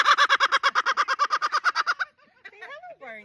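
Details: A pet cockatoo calling loudly in public among passing people: a fast series of about twenty harsh, even, repeated squawks, then softer warbling, chattering sounds.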